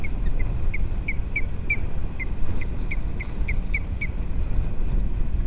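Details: Osprey at a nest camera on Captiva Island, Florida, in January 2023, giving repeated short piping chirps in loose bursts, partly buried under heavy low-pitched wind rumble.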